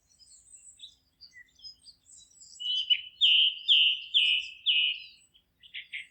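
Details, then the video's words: Singing birds in a forest, scattered thin high chirps first, then one bird repeats a strong slurred whistled note five times in a steady rhythm, followed by a brief buzzy rattle. "Forest relaxing sounds of singing birds"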